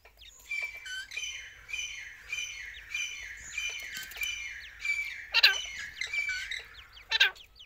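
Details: A Grey francolin calls during the chick season, giving loud, shrill, ringing notes about every two-thirds of a second, with a couple of harsher, clipped bursts near the end.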